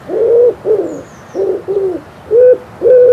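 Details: In spring in Poland, a common wood pigeon gives deep, husky cooing notes, about six in three seconds in a soft rhythmic phrase, while a thin, high whistle from another bird is heard faintly.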